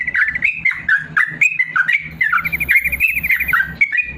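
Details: Yellow-vented bulbul, a caged bird, delivering long song meant for training idle birds to sing; quick chortling notes, rising and falling, with a short fast trill in the middle.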